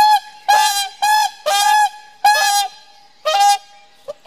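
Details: Pair-bonding whooper swans give bugling, horn-like honks about once per second, each note steady and brassy with strong harmonics, separated by short quiet gaps.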